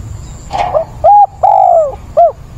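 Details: Spotted dove used as a decoy, calling to attract a mate on 17 September; a muffled opening note leads into a crisp coo, a longer falling coo and a brief final coo, deep and mellow.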